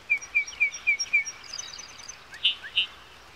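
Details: Yellowhammer singing five sharp, evenly spaced chips, then a faint high trill and two louder, rounder notes. Light background noise throughout.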